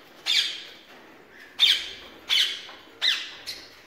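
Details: Rose-ringed parakeet in a breeding setup gives harsh, raspy squawks: four loud bursts in under four seconds, each dropping slightly in pitch, with a faint fifth note.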